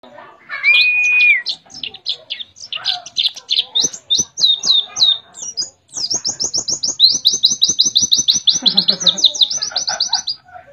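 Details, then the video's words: {'caption': 'White-eye from Mount Ciremai, West Java, singing canary-like phrases: fast high twittering with rapid repeated trills, brief pauses, and a long steady whistle near the start, with faint clicking beneath.'} "Pleci Nembak Kenarian"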